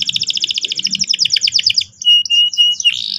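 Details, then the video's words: Canary in full song, used as a lure so young canaries learn to roll sharply: a rapid high trill of even pulses for two seconds, then thin whistled notes and a short rising slur. "PANCINGAN BURUNG KENARI GACOR EFISIEN AGAR PAUD CEPAT NGEROL TAJAM & PECAH SUARA"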